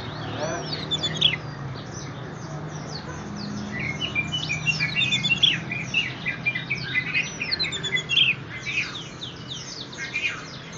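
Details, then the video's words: Leg-ringed orange-headed thrush kept in a cage at a bird shop in Graha Raya, Serpong, in full song: curling, looped high whistles returning about every three and a half seconds, woven into dense, rapid twittering over a constant low hum. "anis merah ring gacor"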